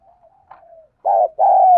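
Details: Decoy spotted dove cooing in the 'thổ' voice style to lure and provoke wild birds. Faint wavering hum, then two loud, low, hollow coo notes, the second longer and slightly falling.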